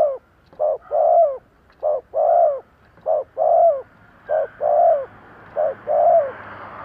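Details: Spotted dove used as a lure for wild doves, giving thúc gù cooing: five rhythmic pairs of a short note and a drawn-out coo. The pairs come at an even pace, and soft background noise rises toward the end.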